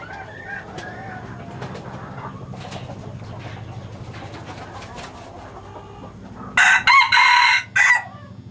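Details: Male hybrid red junglefowl of a Laos line, kept for breeding, gives one harsh segmented crow near the end after a long stretch of low background rumble and faint distant calls.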